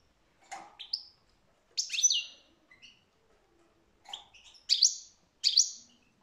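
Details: Scattered liquid twitters and sharp chirping notes from a European goldfinch, delivered in loose bursts with short silences between them.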